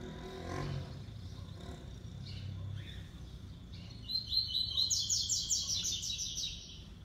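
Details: Six-month-old male double-collared seedeater giving the classic three-note song in a singing contest with another seedeater; after quiet background, a bright, rapid buzzy trill of high repeated notes bursts out and runs for about two seconds.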